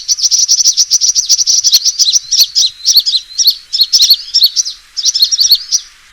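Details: Trapping lure of a sunbird's fighting call, a fast run of thin, high chirps breaking into jerky twittered phrases about once a second.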